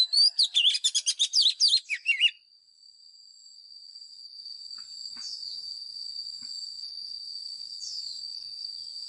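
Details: White-rumped shama fighting song used for voice training of caged birds: a fast two-second rattle of high, varied whistled notes, followed by a long steady high-pitched whine with faint rising slurs.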